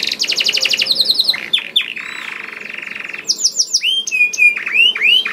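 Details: Canary song used as a lure for singing: a rapid trill, a sustained buzzy passage, then bright rising and falling whistled notes.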